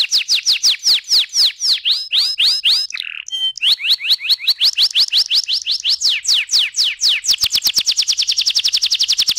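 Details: Canary song played as a lure to make canaries sing in rolls: long runs of rapid, repeated sweeping whistled notes, a brief buzzy break midway, ending in a fast, dense trilled roll.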